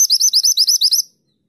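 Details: A mountain bushchat gives a fast "tulit tulit" run of about seven high, sharp, slurred notes in just over a second, clean with no other sounds.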